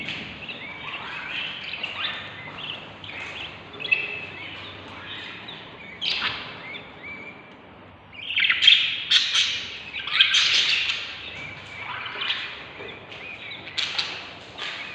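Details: Hungry baby budgerigar chicks about 22 days old, inside a nest box, give a continuous chorus of raspy, high chittering begging calls, swelling into louder bursts.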